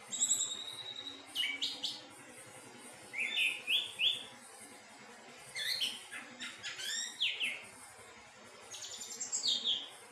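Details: Thrush singing softly and melodiously, with scattered high whistled phrases, quick clustered notes and brief buzzy elements between quiet pauses.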